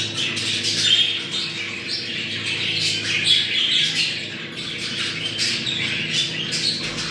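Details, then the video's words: Budgerigar mating chatter played for breeding: busy overlapping chirps, squeaks and raspy squawks, with a low hum behind. "Muhabbet kuşu kızıştırma sesi. Muhabbet kuşu çiftleşme sesi"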